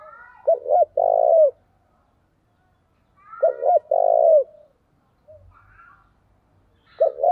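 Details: Spotted dove used as a decoy, cooing vigorously to incite fights. Three repeats of a soft double coo ending in a long vibrating coo, roughly three seconds apart, with faint higher chirps in the background.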